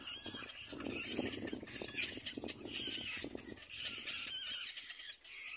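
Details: Little black cormorant chicks at the nest compete for their mother's food, giving harsh, squawking begging calls in rapid, overlapping bursts, with lower grating notes and a steady rustle throughout.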